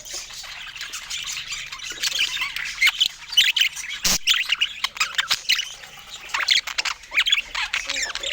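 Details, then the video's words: Pet budgies at fruit time giving sharp squawks and bright chirps over a continuous warbling flock chatter, with a brief loud click near the middle. "Cute Budgie Love and Funny Sweet Sounds During Fruit Time"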